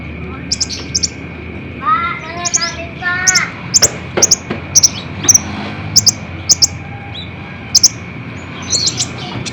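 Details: Kolibri ninja sunbird song aimed at getting caged birds to respond: repeated very high sharp chirps at short intervals, with a brief stretch of lower warbled notes early on, over a steady thin whine.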